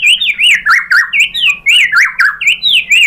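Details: White-rumped shama song used to provoke an answer: loud, fluid whistled phrases with wavering up-and-down slurs, repeated about four times a second in an even, rolling pattern.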